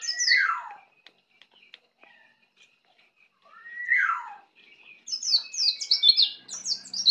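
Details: Young Bali white-eye practising ngeplong song: two clear downslurred whistles falling steeply in pitch, separated by faint ticks, followed by a fast run of high, thin chattering notes.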